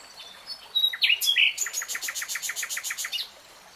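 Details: Common nightingale song phrase: a few sharp high chirps and sweeping whistles, then about thirteen loud, evenly spaced, rattling notes in rapid succession before falling quiet.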